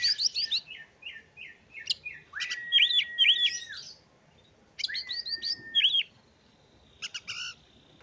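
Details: Oriental magpie-robin song meant to rouse other males and their breeding drive, a run of short high chirps followed by sustained flat whistles topped with sharp up-down flicks, pausing, then repeating, with brief scratchy notes at the end.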